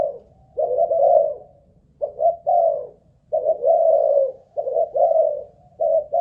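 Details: Spotted dove used as a decoy, stamina test: a steady run of five soft, hollow coo phrases, some broken into quick double notes, repeated with little pause and no other sounds.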